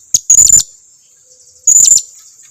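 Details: Blue-crowned hanging parrot lure call for drawing in other birds: two bursts of rapid, scratchy, very high chattering notes about a second apart, with a continuous high-pitched background tone.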